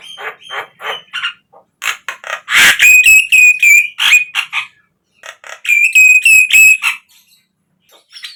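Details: Javan myna singing as a lure for caged birds, rapid buzzy chatter rising into a sustained, fast-pulsed whistling trill, repeated twice with a pause between, then scattered harsh notes.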